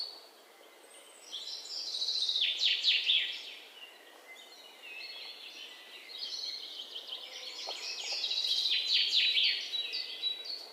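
High, rapid chirping and twittering comes in two busy bursts with a quieter stretch between, over a soft outdoor hiss.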